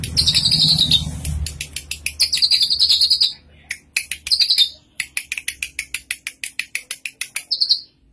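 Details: Drongo, tame and in full song with many varied phrases, delivers high rasping trills then long runs of crisp, evenly spaced chirps, several per second, with a short buzzy flourish at the close.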